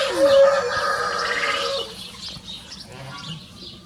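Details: A free-ranging Rosecomb bantam rooster, one of a pair of small show birds crowing in a duet, gives a steady drawn-out tonal crow that opens with a rising note and lasts nearly two seconds before fading to background noise.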